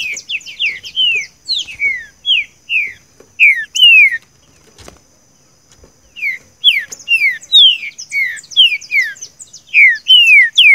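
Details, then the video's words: Green-winged saltator singing seu chico song phrases, used to train captive birds: quick series of clear downslurred whistles, a one-second lull with a soft thump, then the whistled run resumes steadily for several seconds. "trinca ferro canto seu chico"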